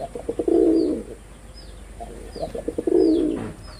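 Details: Two deep coos from a performing male red-bordered wild pigeon, each a quick string of low pulses rolling into a sustained throaty tone, while small birds give high, thin, downslurred chirps.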